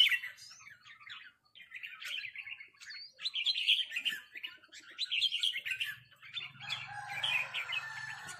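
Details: Red-whiskered bulbuls in a heated rik-call exchange with a resident territorial bird: repeated scratchy phrases with small whistled upslurs, ending in noisier chatter over a low hum.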